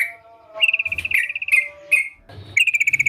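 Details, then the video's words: Sooty-headed bulbul in full voice, giving rapid rattling trills of evenly spaced bright notes broken by short sharp chirps, and ending in another quick trill series. "Burung Trucukan Gacor"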